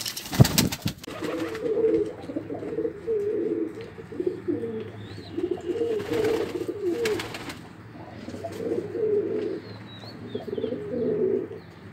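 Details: A pigeon gives a run of repeated low, burbling coos in rhythmic phrases across the recording. Sharp clicks and knocks come at the start, and a few faint higher chirps are heard later.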